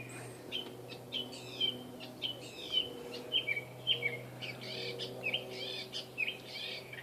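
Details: Steel-coloured catbird concealed in trees of a Saskatoon yard, where it is seldom seen, repeating short squeaky slurred notes about once a second among mixed chirps and a brief buzzy phrase, over a constant low drone.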